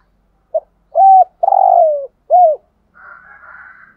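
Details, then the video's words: A decoy spotted dove coos in 'thúc gù' style: a short note, flat coo, long burry falling coo and an arched final note, followed by faint higher-pitched chattering from another bird. "chim cu mồi thúc gù bài bản nhất hiện nay"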